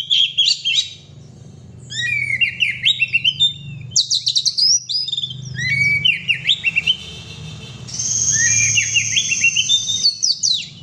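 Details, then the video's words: Oriental magpie-robin singing in the gacor style, used to stir up other kept birds: rapid high whistled phrases with sharp down-slurred notes and buzzy trills in bursts, a sustained whistle near the end, low hum beneath. "kacer gacor"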